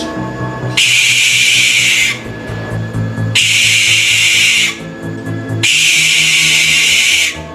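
A Barn Owl gives long, harsh, hissing screeches, each lasting over a second, over background music.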